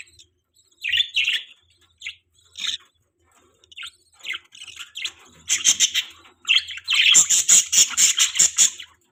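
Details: Budgie parents feeding their baby in the morning: scattered high chirps build into a rapid run of sharp, clipped notes, repeated more than twice a second toward the end.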